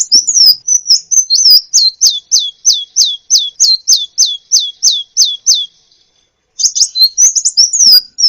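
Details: Sunbird (kolibri ninja) masteran for teaching songbirds: steady string of high, falling hooked notes about three a second, a short pause, then a jumble of twittering high chips.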